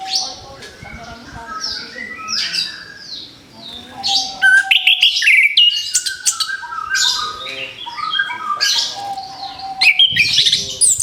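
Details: Orange-headed thrush just out of its moult and ready to sing again, kept by bird hobbyists. Varied, rapid song of bright chirps, trills and slurred whistles, mostly high-pitched, with short pauses and a steady low tone underneath.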